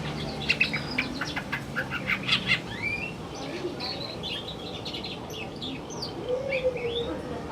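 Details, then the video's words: Male greater green leafbird singing in the afternoon: varied clear whistles, rising and falling slurred notes and quick chattering phrases, over a steady low background hum and faint murmuring. "BURUNG CUCAK IJO JANTAN"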